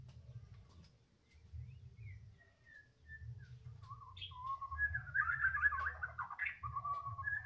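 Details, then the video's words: Female anis kembang (Orange-headed Thrush), newly arrived, sings a varied warbled phrase: soft descending whistled notes building into louder, rapid, twittering trills and slurred whistles, over low background hum. "Baru dtg anis kembang betina,,luur,,"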